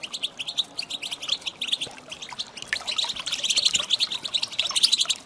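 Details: Calls of a female European goldfinch used to stir males into singing: steady fast twittering of high chirps that grows louder and denser toward the end.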